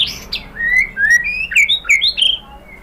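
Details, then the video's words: White-rumped shama song used to provoke other shamas: a short run of clear whistled notes rising and falling, with slurred upward phrases. "pancingan jitu !!! bikin MURAI BATU NYAUT BONGKAR MATERI TEMBAKAN ¦ PANCINGAN MURAI ¦ SHAMA BIRD"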